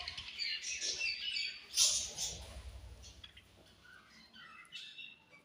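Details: Budgerigars in a colony at morning feeding time, giving a burst of bright, overlapping chirps and squeaks early on, then thinning to scattered soft whistled notes over faint low background rumble.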